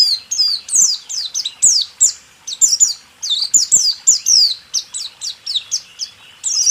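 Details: White-eye song, rool tembak style, recorded for training caged songbirds: a steady, busy stream of shrill, high down-slurred notes in quick groups, almost without pause.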